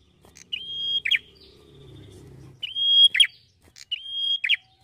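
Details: Singing prinia, locally the red-headed prenjak, from Indonesia: three phrases of a held, level high whistle ending in two quick downward buzzy notes, with a faint low murmur of background noise between them.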